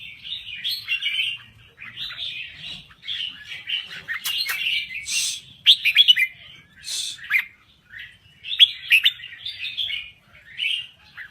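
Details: Red-whiskered bulbul from Thailand in steady song: soft, liquid warbled phrases repeated with short gaps, with a few sharper chips scattered through.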